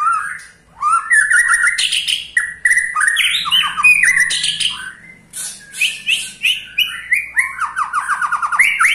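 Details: White-rumped shama ketrekan, used to prompt other shamas to sing: fast, varied string of whistled and chattering notes, ending in a rapid series of short repeated downslurred notes, loud and close.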